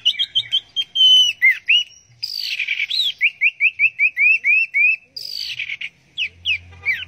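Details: Orange-headed thrush singing teler style: a run of clear whistled notes, each rising then falling, repeated about five times a second, between buzzy bursts and swooping slurs.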